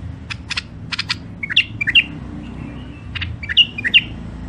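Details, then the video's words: Caged songbirds from Mandali, Iraq, offered for sale: a few dry chirps lead into pairs of clear, bending whistled notes, then more chirps and another whistled pair. Low background rumble is present. "تغريد مخاليف وحشيه كاع منفذ مندلي"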